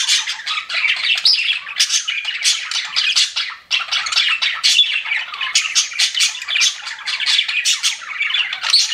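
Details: Pet budgies keep up a long stretch of rapid, scratchy chirping. Dense squawks and warbles repeat in quick pulses, with a short dip in loudness midway before the busy chatter resumes.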